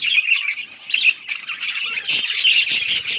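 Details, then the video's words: Budgerigars playing with each other on October 30, 2023, give a dense, continuous warbling chatter of high squawks and chirps, rising to a louder burst after two seconds. "Budgies chirping sounds and playing with each other"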